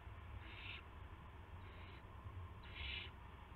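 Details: Owl at a nest on 19 March 2016 around midnight, with prey being delivered to the owlets. Three breathy, rasping hisses are spaced about a second apart, with the middle one fainter, over a low steady hum.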